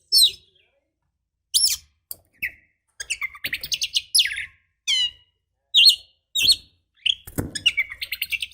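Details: A female Oriental magpie-robin, used to provoke males, gives a string of short, sharp, high chirps and downslurred whistles at irregular intervals, ending in a rapid chattering run.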